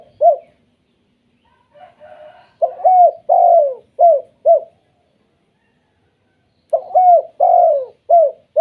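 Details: Repeated hooting coos from spotted doves in the 'kuk 2' style, a call that triggers other doves to respond. Two bursts of four to five low coos are separated by a pause of about two seconds, with a faint warble in between.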